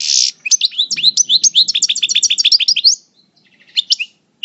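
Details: Moulting European goldfinch, a Parva coupleur, El Bordj: a rich buzzy note opens a quick, even series of high, sweeping chirps repeated several times a second, then a pause and a few scattered tweets.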